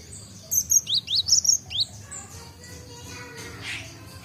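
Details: Great tit (Gelatik Batu), a young bird learning to sing that has just begun the chattering ngombyok style: a quick run of about seven thin, high, sharply rising chirps, then quiet hiss.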